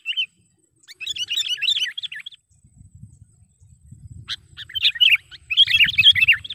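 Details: Sooty-headed bulbul recorded as a trapping lure call to provoke wild bulbuls: bursts of lively, chattering, bubbly high notes in two rich phrases separated by a pause, with a faint low rumble underneath.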